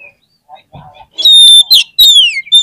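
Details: Short stretch of oriental magpie-robin lure song, played to make other magpie-robins sing. After faint low sounds come loud, sustained pure whistles and a clear slurred whistle falling in pitch.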